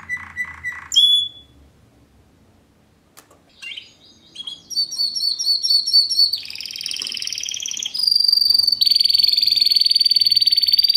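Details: Timbrado Español canary, a fast metallic 2013 bird in classic style: a few deep pulsed notes and a whistle, a pause, scattered clicks, then bouncing tinkling notes leading into loud sustained high rolls.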